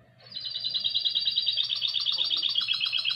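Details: Goldfinch × canary hybrid (mixto) song, 2020: after a quiet start, a fast continuous run of bright, buzzy trilled notes repeating about four per second, high-pitched and steady, later shifting to slightly lower rattling phrases.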